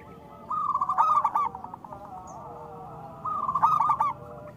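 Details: Two spaced phrases from a local zebra dove meant to prompt other doves to sing: quick stuttering coos that blend into a mellow tremolo, with about two seconds of quiet between them.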